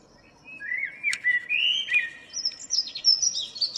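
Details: Local common blackbird singing in the morning on 2 April 2013; a mellow fluted warble climbs into a rapid, high-pitched twittering tail.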